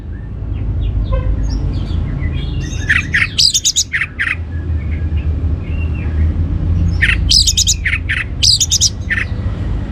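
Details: Song of an orange-headed thrush, played to provoke other birds to sing: dense clusters of harsh, rapid notes and chattering bursts, separated by quieter gaps with faint distant calls and constant low hum.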